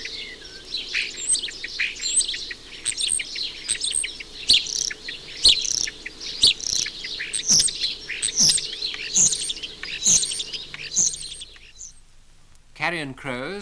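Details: Singing male Common Starling rattling his bill on a chimney pot of a suburban house, mixing in imitations such as carrion crow: dense, continuous high twittering, whistles and clicks, then a brief pause and a wavering harmonic phrase near the end.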